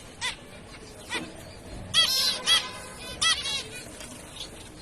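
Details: Zebra finches (Taeniopygia guttata) give nasal, toy-trumpet 'meep' calls, six or seven in five seconds, some overlapping as if from several birds, over a faint background hiss.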